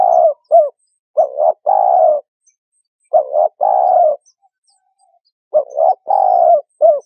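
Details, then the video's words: Spotted dove, recording used as a lure for bird trapping, cooing in three phrases, each two quick hollow notes, a long mellow slurred coo and a short closing note, with clean silence between phrases. "Tiếng Chim Cu Gáy"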